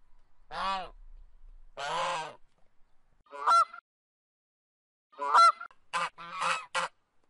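A goose gives a series of loud, nasal honks, some drawn out and others short and clipped, coming in irregular bursts over several seconds.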